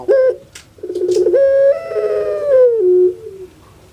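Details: Puter pelung, a dove kept as a pet on Java, Indonesia, giving a call said to resemble a crying baby: a short note, a vibrating burr, then a long sustained coo stepping downward near the close.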